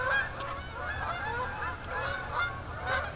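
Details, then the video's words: Geese honking at night as they head from a field back to Jourdan Lake, Lake Odessa, Michigan; a steady chorus of overlapping nasal honks with a few louder, sharper calls standing out. "Geese at night"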